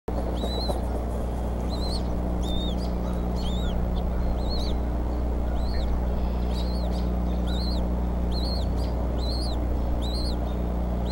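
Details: Bald eagles at the Decorah nest on an April 8, 2014 evening, with the mother feeding young eaglets as the father brings prey twice in ten minutes. High, thin arched whistles repeat in steady series over a loud low hum.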